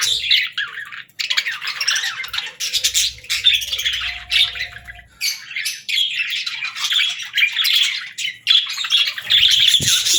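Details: Several budgies sing at once, giving nonstop warbling chatter of quick chirps, rasps and squeaks, with brief pauses; a faint steady low hum runs under part of it.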